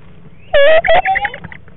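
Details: Barred owl inside a nest box, eating a frog in mid-February; one loud, strained, rasping call with a slight rise, broken into two parts, followed by softer scraping.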